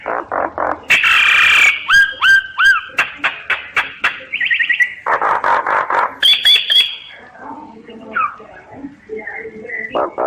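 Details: Common myna song full of harsh repeated pulses, a loud rasping burst, ringing whistled notes with a downward hook, a rapid twangy trill and a high steady whistle, fading into softer gurgling notes.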